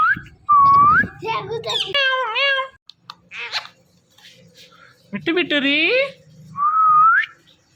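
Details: Talking pet parrot calling "Mithu" alternates rising whistles with harsh, drawn-out, voice-like squawks, then ends on a rising whistle.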